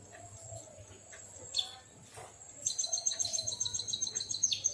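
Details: Lively white-headed munia singing like a canary. A few soft, high notes give way to a rapid, shrill trill of evenly repeated piping notes, bright and sustained through the last two seconds.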